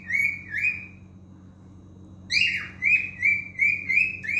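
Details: Song of a male cockatiel: two bright whistled notes, a second of quiet, then a run of five ringing whistles, the first sliding downward, the rest evenly spaced over a faint background hum.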